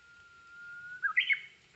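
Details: Japanese bush warbler singing on a rainy day, heard from under a flowering hydrangea: one long, steady, level whistle, then a quick rising flourish of bright slurred notes.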